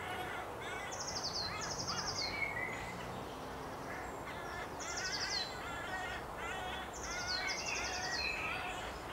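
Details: Western jackdaw at its nest in late April: harsh, stacked bursts of calls repeated several times a second, with higher thin rasping notes in groups over steady background noise.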